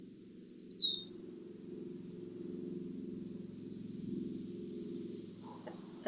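Black-throated Green Warbler giving a brief run of high, thin, buzzy notes that drop then rise, over a steady low droning hum.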